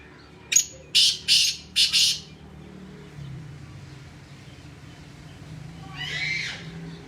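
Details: Black francolin from Sindh calling: a quick series of four harsh, grating, rasping notes, followed after a pause by one fainter scratchy note over steady low background hum.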